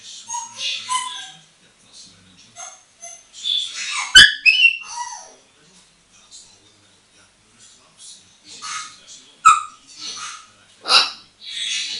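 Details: Female African grey parrot, eight years old, hand-trained and moulting, playing on a bathroom towel rail: scattered whistles, chirps and squawks in short bursts, with a sharp click midway and quiet gaps between.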